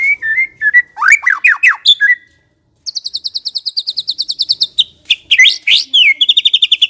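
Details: White-rumped shama singing, used as a lure so shamas reply and sing freely: clear whistles and fast downslurred notes, a brief silence, then a long rapid train of high trilled notes and varied phrases.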